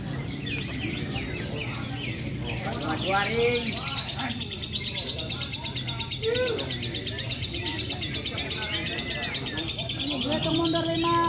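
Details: Competition lovebird in a fighter session at a national meet at Borobudur, delivering long streams of rapid, shrill chirps and buzzy trills. Other caged birds and steady human chatter sound underneath.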